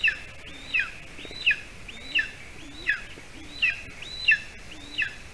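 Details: Golden eagles at a nest in Latvia at 8:42 p.m., as the adult male brings a larger bird to a hungry chick. High, thin, slurred chirping notes repeat steadily about every 0.7 seconds, seven in all, over a faint low rumble.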